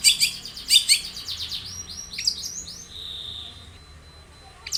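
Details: Long-tailed shrike lure song to make a shrike sing: loud harsh chatter bursts, then lively twittering phrases and a long thin steady whistle.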